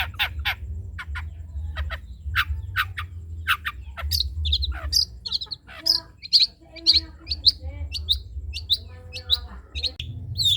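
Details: Trotol-style long-tailed shrike singing as a tutor for other birds to imitate: dry staccato chips give way to a rapid run of high, thin, upward-flicking notes, over a constant low background hum.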